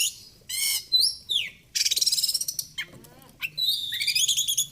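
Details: Oriental magpie-robin singing, used as a morning and evening training recording: buzzy raspy phrases, a descending slurred whistle, a rapid grating rattle, then a fast warbling chatter of high notes.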